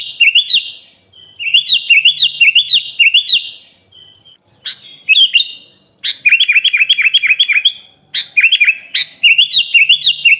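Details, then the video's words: Sooty-headed bulbul song used as a training recording for songbirds, rich fill-in style: bright whistled phrases of quick rising-falling notes, repeated in fast bursts with short pauses, clean with no other sounds. "MASTERAN BURUNG KUTILANG FULL ISIAN MEWAH||SUARA BURUNG KUTILANG"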